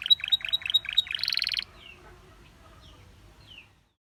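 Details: Belgian canary, whose singing is said to prompt many canaries to sing: a quick series of chirpy notes runs into a dense high buzzy rattle, followed by near silence with two faint thin whistled slurs.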